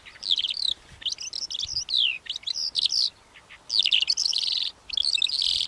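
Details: Calandra lark song, a fast tumbling stream of high chirps, sharp downslurred whistles and scratchy notes in several bursts with short gaps, over quiet background.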